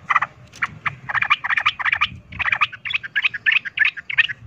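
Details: Yellow-vented bulbul fighting song, used to provoke other bulbuls into fighting: dense, rapid chattering bursts of short bubbly notes, almost continuous, with a faint low rumble of background noise.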